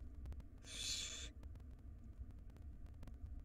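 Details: ['Barn owl nestling, wild, in a nest box during a rodent feeding by its mother; a single loud, rasping hiss about half a second long, then low hum and ticks.']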